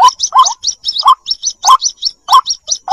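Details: White-breasted waterhen lure sound with chicks: loud low croaking notes every half second interleaved with rapid high squeaky chirps, a fast excited pattern throughout.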